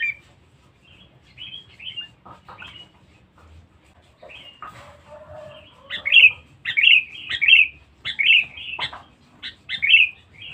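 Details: A very vocal, aggressive Sooty-headed bulbul used for bird trapping gives short, bubbly, liquid whistled phrases, sparse at first, then repeated about every half second in a lively run; no other sounds stand out.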